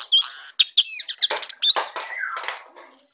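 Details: In the morning a jongkangan delivers quick bursts of whistled chirps and scratchy notes, then a lower sliding whistle before fading out.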